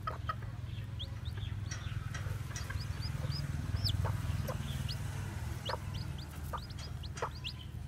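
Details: Newly hatched white, black-tailed bantam chicks walking about peep with high, thin, upward-sliding notes, several each second and unevenly spaced, over a steady low hum.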